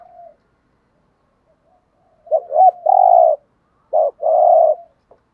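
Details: Male and female spotted doves giving stimulating coos for bird training; after a faint note, a quick stuttered double coo leads into a long steady hoot, then a short note and another long coo, clean quiet background.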